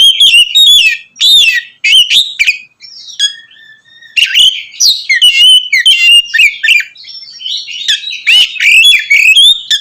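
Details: Oriental magpie-robin singing loudly and continuously to provoke other magpie-robins: quick whistled slurs, a drawn-out level whistle near three seconds, then rapid chirping and trilled phrases.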